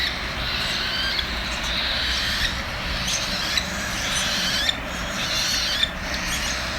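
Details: Several hungry cockatiel chicks beg while being fed, giving harsh, hissing, wheezy rasps in a steady stream of bursts, roughly one per second, with a low background hum throughout.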